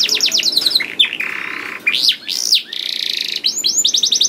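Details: Canary in full gacor song, played to coax other canaries into song: quick swooping whistles alternate with long flat buzzy rolls and arched slurred notes, then a fast burst of repeated chips.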